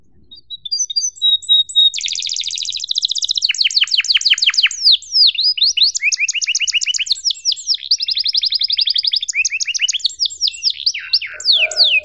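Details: Canary singing a long lure and tutor song, "cuit cuit" style, for young canaries learning sounds; high whistled notes give way to fast rolling trills and buzzy repeated syllables, about three or four per second, sustained throughout.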